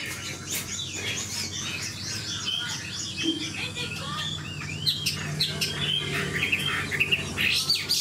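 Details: Old wild-caught Chinese hwamei singing fast, varied warbling phrases of short whistles and slurred notes against a noisy, busy background, the song growing louder and choppier toward the end.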